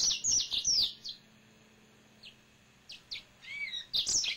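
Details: A pet male yellow-fronted canary gives a quick burst of high chattering notes, a few isolated chips, then a rising-falling whistled phrase and another rapid twitter.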